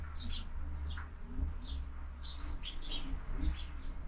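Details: Sparrows at a window-mounted feeder at breakfast time give short, high chirps that overlap in quick, scattered bursts, with several birds calling together over a steady low rumble.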